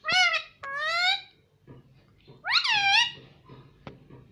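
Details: Indoor pet parrot said to talk, saying "Mummy" and "Mitthu". It makes three drawn-out, rising, nasal harmonic calls, the last one arching up then falling, with soft tapping after them.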